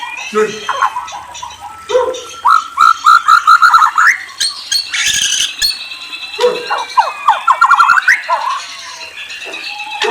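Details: White-rumped shama (murai) giving rapid strings of repeated whistled notes, roughly three per second, between harsher squawking calls and clicks, with a brief noisy burst mid-way.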